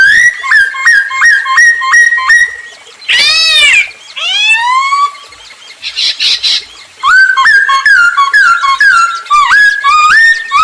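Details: Masked laughingthrush (poksay hongkong) singing loudly in captivity as a lure for other birds: repeated stepped whistled notes, a harsh rising squeal and upslurred whistles, then a quick series of looping whistles.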